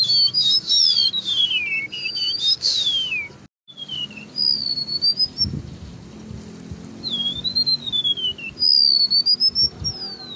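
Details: A golden-bellied gerygone (remetuk laut), singing freely out of its cage, gives high, thin whistles that slide up and droop in long wavering slurs, phrase after phrase, over a faint low rumble.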